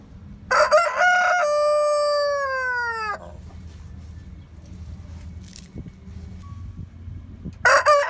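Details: Barred rock, Rhode Island red and frizzle roosters are featured; one crows a clear cock-a-doodle-doo, a stuttered opening then a long falling held note, followed by quiet, then another crow begins.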